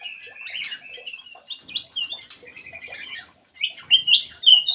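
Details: Chattering lure call of a black-crested bulbul, a steady stream of slurred whistles and chirps, a brief pause, then a louder sequence of rising fluty notes.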